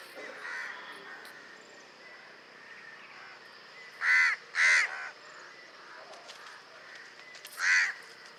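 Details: Common city house crow cawing against a faint murmur of background noise: a soft early caw, then two loud harsh caws close together and a single caw several seconds later.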